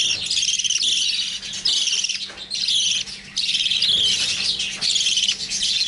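Young lovebirds give a dense, shrill chatter of rapid high chirps, almost nonstop with a few brief pauses, over a faint low hum.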